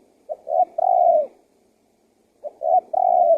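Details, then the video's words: Decoy call of a spotted dove meant to attract wild birds: two phrases of low mellow cooing, a soft clipped note, a second short note, then a sustained level coo, with a pause of over a second between phrases. "SUARA TEKUKUR GACOR PALING AMPUH UNTUK PIKAT BURUNG LIAR"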